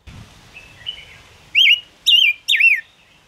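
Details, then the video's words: Gouldian finch song used to lure birds into traps: faint thin whistles build into three loud, wavering whistled notes that rise and fall, spaced about half a second apart, with light background noise. "Tiếng ngũ sắc hót chuẩn 2022 dùng bẫy ngũ sắc hiệu quả"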